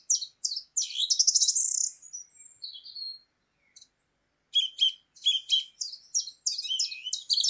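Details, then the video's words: A song thrush sings in the UK dawn chorus at a late-spring sunrise, bright, high phrases of sharp chirps and quick trills with brief pauses, a chiffchaff singing nearby. "The Song Thrush's Sublime Dawn Chorus"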